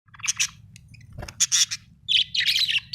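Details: Happy budgie chirping in bursts of bright, high warbling notes, with short pauses between clusters and a steady low hum underneath.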